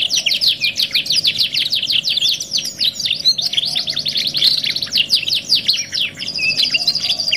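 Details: Domestic canary singing on a 2-in-1 tutor and therapy track: a dense run of rapid chopped whistled notes that rise and fall, then a sustained high rolling trill toward the end.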